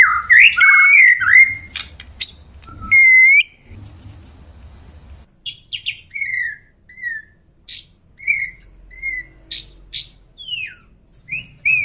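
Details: White-rumped shama mating song from a male wooing a female: loud varied whistles and chatter at first, then scattered short sharp notes after a pause.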